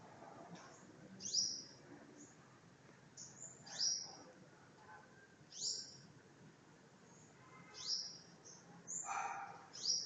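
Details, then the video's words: A hidden bird chirping again and again: shrill, high, downward-slurred tweets, some paired, spaced a second or two apart, with faint low background noise. "Bird chirping sound"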